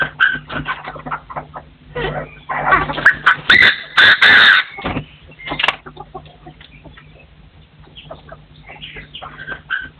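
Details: Partridges crowing in forest: busy chattering notes build into a run of loud, harsh, clipped bursts midway, then scattered softer calls and chirps continue to the end.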